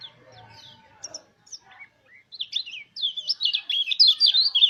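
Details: Mountain white-eye lure song intended to stimulate other white-eyes to sing: scattered soft chirps first, then a dense, energetic stream of rapid, zigzagging high twitters.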